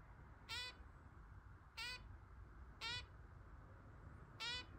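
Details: Hand-tame zebra finch chick, adopted 15 December and meeting older pet birds; four brief buzzy harmonic calls spaced a second or more apart, quiet against constant low background rumble.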